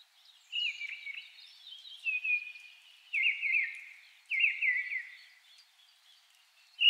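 Mistle thrush song: short, fluting whistled phrases like a blackbird's, given every second or so with brief pauses, fairly monotonous and without doubled repeats.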